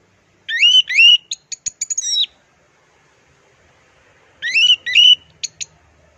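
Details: Orange-headed thrush singing in a plong and teler style, used as a training recording: two bursts of rich, rising whistled notes, then quick sharp clicks and a falling slur, with a pause of about two seconds between phrases.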